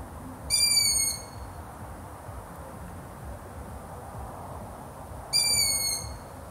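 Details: High squeaky calls from a long-eared owl, two of them about five seconds apart, each a short falling note over a steady low rumble.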